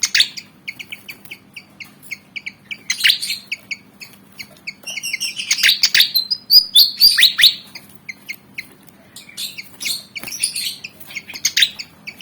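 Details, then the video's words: Fight-eager Javan fantail, black and white, about 19 cm: fast, dense chipping with repeated harsh, scratchy squeals rising and falling across the recording. "Burung Kipasan Jawa Ngotot Liat Pengen Tarung"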